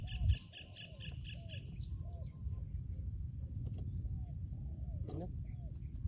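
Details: Spotted dove, a trained decoy bird, giving a series of low, hollow, arching coos spaced through the recording, with brief high pulsed chirps at the start and a constant low background rumble.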